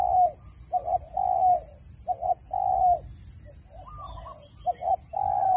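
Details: Spotted dove call used to lure birds into traps, a clean voice free of background noise: low hooting coos in short paired notes followed by longer drawn-out notes, repeated in phrases, with faint twittering from other birds and a steady electronic tone.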